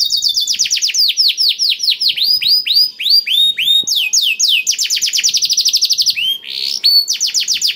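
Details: Black-throated canary song used to stimulate other canaries to sing: fast trills of high, downward-sweeping notes, several per second, shifting between series of different pitch with brief pauses. No other sounds.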